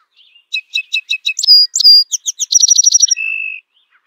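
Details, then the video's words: Male Song Sparrow singing a bright, complex song to declare its territory and attract females: a few spaced introductory notes, a quick buzzy trill of rapid notes, then a sustained steady whistle at the end. "the male uses a fairly complex song to declare ownership of its territory and attract females"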